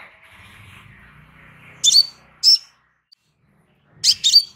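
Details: Crimson sunbird, recorded as a relaxed master track for training birds: high, sharp chirps, one double and two single notes spread over a few seconds, over a faint low murmur at the start.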